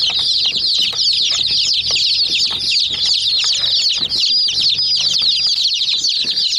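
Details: A flock of chicks pecking a mini toy jeep, their shrill, closely spaced chirps forming a dense constant chorus, with the odd clearer whistled peep and clicking pecks underneath.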